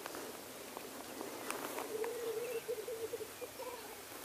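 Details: Male black grouse displaying at a lek: after two seconds of soft background clicks, a clear bout of rapid bubbling rolls in, with a faint higher note near the end.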